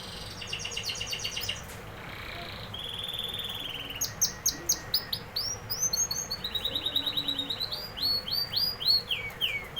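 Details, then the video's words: Canary song with a fast high trill, a sustained whistled tone, then a lively sequence of crisp repeated notes shifting in pitch, ending in descending sweeps. "canary singing"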